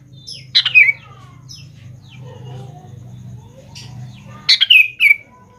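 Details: Sooty-headed bulbul singing to coax young bulbuls into responding: two loud, liquid, bubbling phrases with falling tails, separated by about four seconds of faint chirps and a steady low hum.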